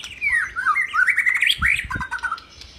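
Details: White-rumped shama kept as a training model for other songbirds, delivering a fast run of slurred, warbling whistled notes rising and falling, with a few dull knocks in the background.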